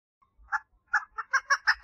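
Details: Female chukar partridge calling for mating: a few spaced, hoarse clucks that quicken into a tighter run of chuck notes, with faint low rumble early on.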